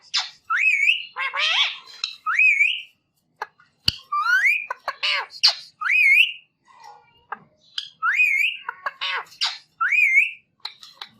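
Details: A pet green ringneck parrot kept in a home gives harsh squawks mixed with repeated rising, bending whistles roughly every two seconds, with short scratchy notes between.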